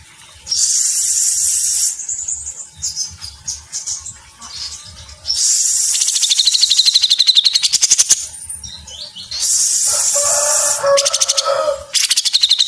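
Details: Grey-cheeked bulbul (cucak jenggot), a lively, chatty singer delivering dense rapid "mesetan" phrases for a tutor recording: long bursts of high, bright, hissing twitters broken by short pauses, with a lower chattering run near the end.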